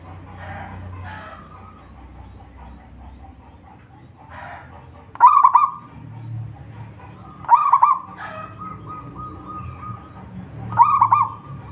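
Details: Local wild zebra dove singing in Indonesia, three loud rolling cooing phrases of quick wavering notes, spaced two to three seconds apart, over soft background chatter of other birds and low rumble.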